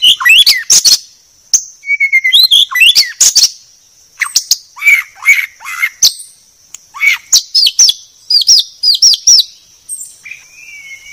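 A white-rumped shama sings a rich, varied run of clear whistles, slurred notes and sharp chattering bursts in quick phrases, over a faint steady high hiss.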